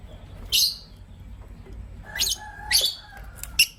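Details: Pet lovebirds, a green Personata and a pastel white, chirping in the morning: short, shrill, very high chirps, one near the start and a quick cluster of sharp chirps in the last half, over a low steady hum.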